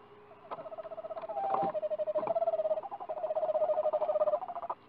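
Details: An Eastern Screech-Owl at a nest box, from a livestream on 4 April 2019, gives a long, steady, mellow trill of rapid pulses on one low pitch lasting about four seconds, with a few soft knocks in the background.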